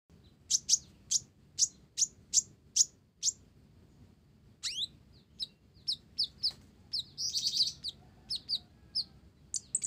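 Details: Olive-backed sunbird singing actively, its song filled with Java sparrow phrases: a run of sharp, high chirps spaced about half a second apart, then quicker varied high notes and a brief buzzy trill.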